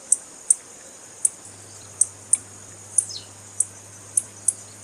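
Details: Sparse, piercing high chips from a female blue-black grassquit, spaced around half a second apart, with one thin descending slur midway; a call used to stimulate males to sing, over a quiet low hum.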